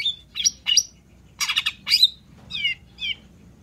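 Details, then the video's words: Long-tailed shrike singing gacor as a lure for birds that will not sing: harsh, rasping bursts mixed with bright whistled notes, then two softer descending chirps close the phrase. "PANCINGAN CENDET SUSAH BUNYI PASTI LANGSUNG NYAUT DAN IKUT GACOR DENGAR SUARA CENDET GACOR INI"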